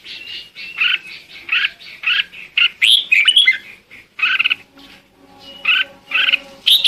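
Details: Red-whiskered bulbul calling the flock with a fast run of repeated chirps, then a twisting warbled phrase. Regular notes resume after a short lull, over a faint low hum.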